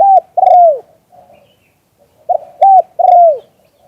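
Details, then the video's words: Spotted dove in "liu tan" style, recorded live: the end of one cooing phrase, then a full repeat of a short note, a flat hoot and a long, downward-bending coo, over a quiet background. "เสียงนกเขามงคล หลิ่วตัน"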